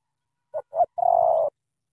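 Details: Spotted dove from Cà Mau, Vietnam, in thổ tơ style. Two quick short notes lead into one drawn-out, mellow, slightly falling coo, with a faint low rumble beneath.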